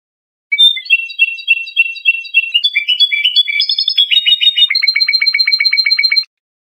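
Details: Iranian trained Lor goldfinch, a European goldfinch, in a calm training song for young songbirds: rapid repeated twittering phrases that shift pitch, ending in a fast, even rattle of sharp repeated notes. Clean, with no background sounds.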